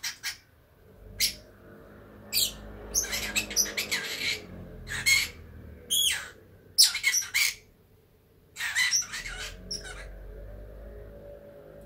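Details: Sleepy pet Fischer's lovebird twitters on a warm day, a steady stream of squeaky chirps, harsh clicks and short raspy squawks in irregular bunches, over a faint low room hum.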